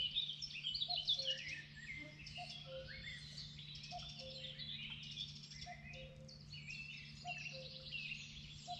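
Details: Common cuckoo calling at the river Oberoste: a low two-note cu-ckoo, higher note then lower, repeated about every one and a half seconds, beneath a dense, bright chorus of other songbirds.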